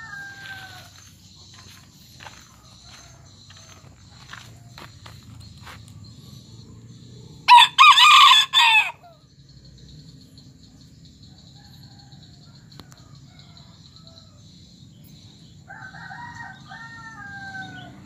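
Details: Serama bantam rooster, an aggressive and frequently crowing bird, gives one short, shrill crow broken into quick bursts over a low background hum.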